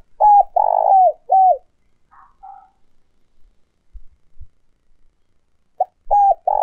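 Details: Spotted dove coos from old wild-caught decoy birds, recorded for trap speakers to lure wild doves: low, hollow phrases, three notes, a softer pair, then three more after a pause, each note bending up then down.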